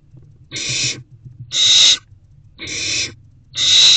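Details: Owls at a nest box in the wild, evening of 3/16/24 around 8:26 pm, as a mouse is delivered. Four harsh, hissing screech bursts come about one second apart over a low rumbling background.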